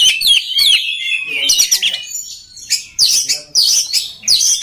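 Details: Loud, fast singing from an oriental magpie-robin used to train other birds: tumbling whistled phrases, then harsh, buzzy bursts repeated in short volleys.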